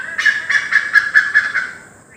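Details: Close, loud great hornbill from Assam, India: seven rapid, braying, cackling notes at about four per second, then a fading tail into quiet.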